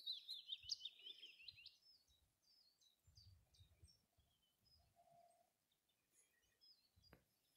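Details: A willow warbler singing close by on a windy day: a sweet, high, slightly falling run of notes, then fainter scattered high notes, with low wind thumps underneath.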